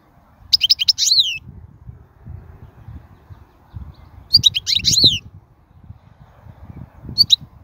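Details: Wild European goldfinch song, khalwi style, meant for teaching young birds to sing: three short bursts of quick, high, jangling twitters separated by pauses of about three seconds, with low rumbling background noise throughout.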